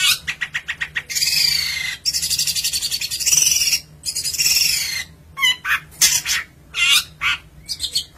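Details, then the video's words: Long-tailed shrike, a caged songbird in Indonesia, singing a busy, varied song: quick ticking runs, then harsh buzzy bursts over a second long, then clipped chattering notes and squeaky whistles in rapid succession. "cendet gacor manteb banget"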